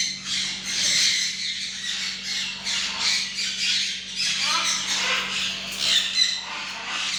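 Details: A tame macaw, described as fully tame and ready to be trained, gives harsh, raspy squawks in irregular bursts throughout over a steady low electrical hum.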